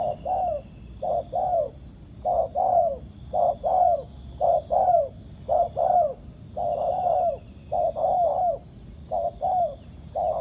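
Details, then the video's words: Wild spotted dove answering a decoy bird during ground-decoy trapping. It gives paired low coos, a short note then a longer falling one, repeated about once a second, over a steady high-pitched background hum. "Bẫy cu gáy mồi đất, gặp chú bổi gù tốt"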